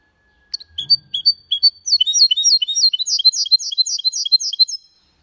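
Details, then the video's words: Hybrid of goldfinch and canary delivering its Malaga-language song cleanly: a soft thud, a few spaced whistled notes, then a rapid, dense sequence of high chirping slurs lasting about three seconds. "Mixto de Jilguero Cantando Limpio (Video HD)Mulet de Chardonneret X canari /hybrid goldfinch singing"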